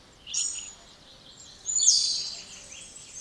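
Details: Spotless starling singing: two high, hissing, rasping bursts with squeaky whistled edges, the second longer and noisier, separated by a quieter pause.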